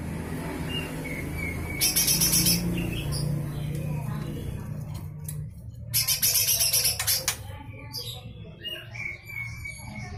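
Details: Lesser green leafbird (cucak hijau mini) giving rough 'besetan' bursts used as tutoring material for magpie-robins and shamas: two loud, harsh, rapidly pulsed high chattering bursts, the second longer, over a steady low hum.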